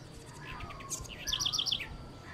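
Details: A single high, bright phrase from a house wren (Troglodytes musculus): soft rising notes followed by a fast run of five sharp, clear chips, over a low rumbling background.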